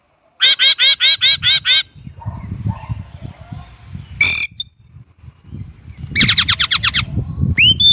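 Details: Chinese blackbird song: a series of seven loud, harsh repeated notes, a pause with faint low rumble, one short sharp burst, then a fast descending chatter and a thin rising whistle at the end.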